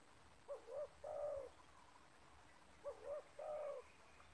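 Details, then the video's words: Distant spotted dove in a yard, where a caged decoy lures a wild 'banggo'-type bird. Two faint, low three-part coos, a short note, a wavering note and a long drawn one, over steady background hiss. "Spotted Dove - Banggo VS Banggo bertemu di laman"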